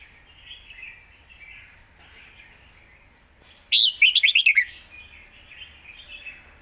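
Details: Red-whiskered bulbul giving a single quick-fire zone-style burst, about seven fast whistled notes in under a second, set against a steady background of distant bird chatter.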